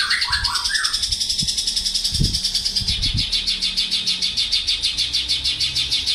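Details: Javan bush lark, a male in full song, opens with a few quick rising chirps, then a long stream of rapid, high, pulsed notes; several low thumps sound in the background.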